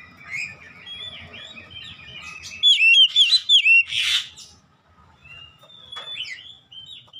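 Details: Ngeplong gacor singing of an Oriental magpie-robin, used to train caged birds at home: soft twittering, then a loud series of five clear upward-curling whistles and a harsh burst, ending in quieter chips.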